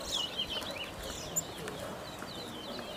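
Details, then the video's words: Brown towa towa (Chestnut-bellied Seed Finch) singing in a bird race at Sheriff Street bird ground, Guyana: quick, high twittering warble of short slurred notes over murmuring people and outdoor noise. "BROWN TOWA TOWA BIRD RACE"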